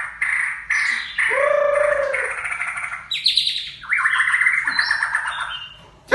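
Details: White-rumped shama of the Aceh type singing a rich, varied song: long whistled phrases, a low sliding note near the start, then bright rapid trills and rising notes, with loud clear bursts separated by short pauses.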